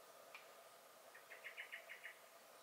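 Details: Common blackbird (Turdus merula) in a garden, 23 May 2021, giving alarm calls: a single sharp note, then a short quick series of about six hard, clipped chinking notes.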